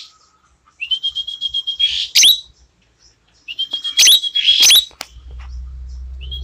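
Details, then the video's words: Asian glossy starling, tame and singing often, with its clear, shrill voice: a stuttering run of short notes leads into a long, steady high whistle, then harsh squawks; the phrase repeats after a pause, followed by a low hum. "Cucak Keling Gacor Jinak"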